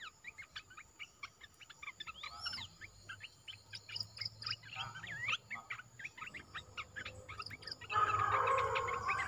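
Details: Newly kept olive-winged bulbul singing hard in its cage: fast repeated chirps and chattering phrases, around four a second, with a few swooping notes, ending under a loud burst of broadband noise.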